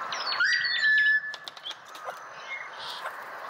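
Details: Australian pied butcherbird gives a single rising whistle that levels into a long, pure held note, then fades into quiet outdoor background with faint clicks.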